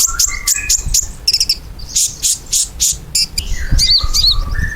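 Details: Ruby-cheeked sunbird singing so that pet birds will reply. A series of high chirps repeated about four times a second is followed by squeaky rising and falling notes and a low whistle.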